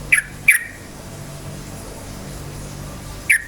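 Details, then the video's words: Energetic yellow-vented bulbul song meant to excite rival bulbuls into singing: a quick double chirp near the start, a long pause, then one more sharp note, with faint background hum. "suara KICAU burung trucukan gacor cukcuk ropel, pancingan bagus trucuk jadikan trucukan ropel EMOSI"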